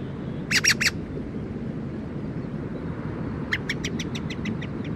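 Black-throated thrush giving three harsh, quick chack notes, then a chattering run of about nine notes that fades, over a low steady rumble.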